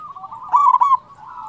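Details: Local zebra dove singing as a lure to get other doves singing, one short loud burst of quick stuttering coos rising out of a steady background of other doves cooing.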